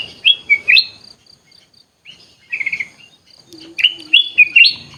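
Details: Sooty-headed bulbul in an aviary, singing short, bubbly, liquid phrases of three to four quick notes that rise and dip. The phrases come in bursts separated by pauses of about a second. Faint high chirps sound in the background.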